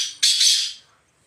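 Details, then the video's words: Wild black francolin moving freely through the jungle, giving one long, harsh, rasping burst that fades out into near silence. "Kala Teetar Ki Awaz Black Francolin Voiceجنگل میں ازاد گھومتے ہوئے کالے تتر کی خوبصورت آواز"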